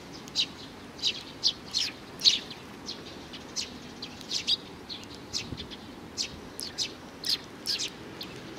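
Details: Little sparrow fledgling, June 2019, calling with spaced, thin high chirps, sometimes in twos or threes, separated by gaps of about half a second, against quiet low background noise.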